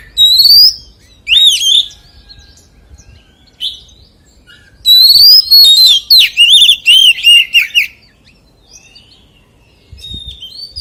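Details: Oriental magpie-robin singing forest-voice phrases. Whistled opening notes are followed by a pause and then a long loud run of rising and falling whistles and trills, with faint notes at the end.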